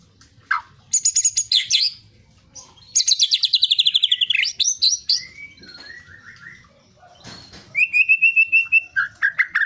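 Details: Long-tailed shrike song, full of varied fill-in phrases, used as a lure to get silent or lazy shrikes singing: high rapid pulsed trills, a descending buzzy series, then clear steady whistles and short slurred notes.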